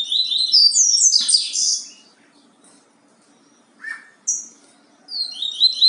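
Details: Yellow-bellied seedeater, Bahia song type: a fast burst of high sliding whistles, silence, a short lower note and a sharp high slur, then another rapid whistled phrase.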